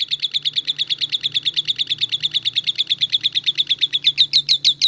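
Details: Lovebird ngetik: evenly spaced, clipped chirps in a quick steady rhythm, growing slightly louder toward the end, over a faint low hum.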